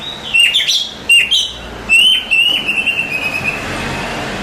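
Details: Oriental magpie-robin, a contest champion, sings a few bright whistled phrases, then a long steady drawn-out whistle that fades away softly toward the end.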